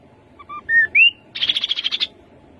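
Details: Rufous-capped babbler song: four whistled notes climbing in pitch, then a rapid chattering trill of about ten buzzy pulses lasting under a second, with a quiet background.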